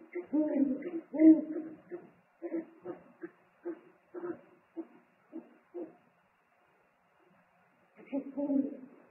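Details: At a nest on 3 March 2019, the male eagle-owl arrives with food and the pair trade calls: a run of low, clipped hoots at steady intervals, a gap of about two seconds, then a final deeper hoot.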